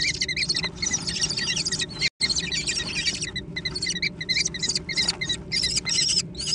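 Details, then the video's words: Nestling American kestrels competing for food give a dense jumble of shrill, wavering squeals, nearly continuous with a brief gap midway, over a low steady hum. "小隼的搶食大戰 (American Kestrel)"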